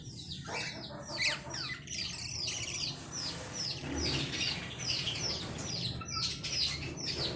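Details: Budgerigar chatter, dense and continuous: many short, high, downslurred chirps and squeaky notes overlap throughout, over a constant low hum in the background.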